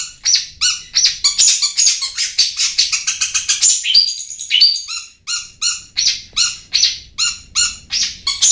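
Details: Long-tailed shrike song used as a lure to make lazy caged birds sing: rapid scratchy, chattering phrases with sharp high notes, ending in a steady run of repeated buzzy chirps.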